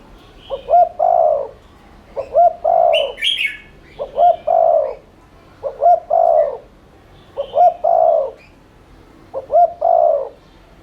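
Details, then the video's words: Spotted dove lure meant to stimulate cooing: six steady phrases, each two short rising hoots and a long burry coo, repeated about every 1.7 seconds, with a brief burst of chirps from another bird. "Cu gáy THÚC Liên Thanh kích bổi,mồi ức chế nhanh gáy/kích bổi nhanh nổi"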